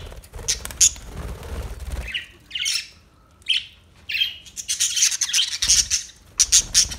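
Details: New budgerigars give sharp high chirps and squeaky squawks, separated by quiet gaps early on, then a dense run of shrill chirping toward the end, over low rustling.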